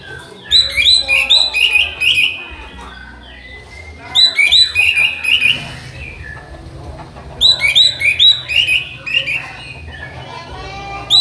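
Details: Orange-headed thrush, or anis merah, singing in a tutor recording used to train birds: three rich bursts of varied whistles and chattering notes, spaced a few seconds apart, with short pauses between them.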